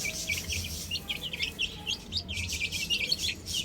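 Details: Baby chickens give steady, high, short peeps in loose clusters, fairly even in pace, with hissy background noise and a soft low hum.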